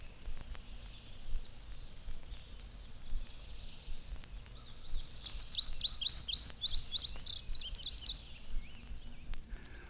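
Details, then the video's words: Indigo Bunting singing in spring from a telegraph wire over berry bushes: high, bright, goldfinch-like but more rhythmic phrase, notes in distinct pairs, like "sweet, sweet, where, here, here, see it", about three seconds, over low background rumble. "It is an indigo bunting, and it seems to say, "Sweet, sweet, where, here, here, see it," and so forth. We"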